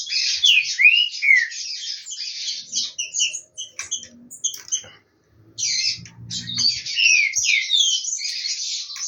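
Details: Green-winged saltator from a breeder, practising ahead of the upcoming season, gives bursts of curving whistled notes mixed with harsh, rapid high chatter. A short pause about midway is followed by another dense phrase, with faint low murmurs beneath.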